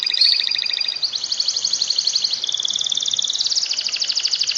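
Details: Canary tutor song for lazy canaries: an unbroken run of very fast, even rattling trills, stepping between pitch levels with barely a pause.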